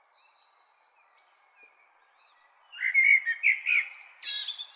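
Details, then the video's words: Common blackbird song: faint high notes and a quiet pause, then a louder burst of warbled whistles with a quick, squeaky, high-pitched flourish at the end. "Common Blackbird Song"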